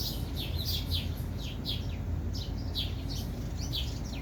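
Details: Bird of unknown kind repeating sharp, descending chirps roughly twice a second against a steady low-frequency hum.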